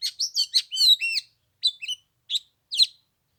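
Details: White-rumped shama song on the third day of Tết in cold 15-degree weather: quick bursts of clear whistled and chirpy notes at first, then short separated phrases with brief pauses.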